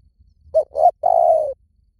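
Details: Spotted dove call used as a lure: one low cooing phrase of two short, quick notes followed by a longer, drawn-out, slightly falling coo, in a quiet setting with faint low rumble.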